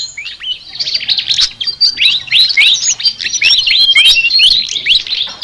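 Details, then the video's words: Unusual chattering song of a flycatcher: a busy, unbroken run of quick upslurred whistles and short chirps, high and bright throughout. "BURUNG SIKATAN NGOCEH TER UNIKK"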